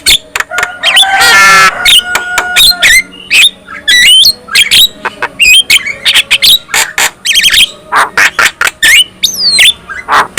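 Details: Black-winged myna singing, said to make other black-winged mynas sing and get agitated; long dense stream of harsh squawks, clicks, rattles and short whistled slurs, nearly continuous throughout.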